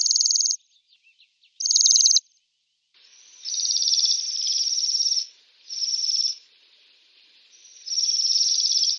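Bohemian waxwings give high, thin, buzzy trills, each lasting about half a second to two seconds. Several overlap at times, like a small flock calling.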